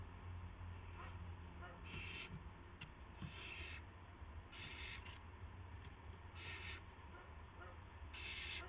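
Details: Evening owl activity, 8 PM on March 18, 2016, during a gopher delivery to a second owl; repeated rasping, breathy screeches roughly every second or so, some fainter, over a low mechanical drone.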